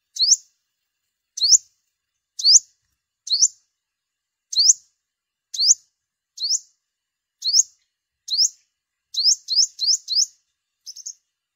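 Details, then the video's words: Sunbird with a yellow belly, recorded for luring in the migration season: high, thin rising chip notes, repeated at irregular intervals of about one second, quickening into a rapid cluster near the end, against clean silence. "Tiếng chim hút mật 5 màu bụng vàng"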